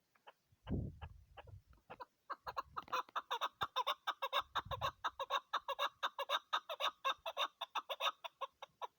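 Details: Chukar partridge, a female, gives rapid repeated chattering clucks that build after a few low bumps and handling thuds, continuing in an even, slightly irregular stream of notes.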